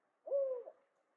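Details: Northern Spotted Owl calling frequently during a field search for its nest tree in the Mad River watershed; a single low hoot, steady and slightly falling, lasting about half a second, in otherwise quiet forest.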